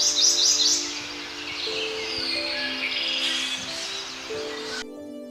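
Prothonotary Warbler song: bright, ringing high chirps in quick succession, over steady background music with low sustained tones.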